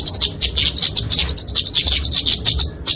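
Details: Fighting song of a kemade, a flowerpecker, for training and luring songbirds: quick series of sharp, very high ticking notes, rhythmic and close.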